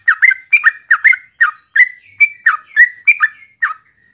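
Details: Clear, close Yellow-vented bulbul song: about a dozen bubbly, gurgling notes evenly spaced over four seconds, some slurring downward and some held briefly.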